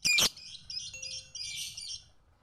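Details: Lovebird in a 'masteran' tutor recording meant for training other birds: one loud sharp shriek opens, followed by a continuous thin, high twittering chatter that fades out after about two seconds.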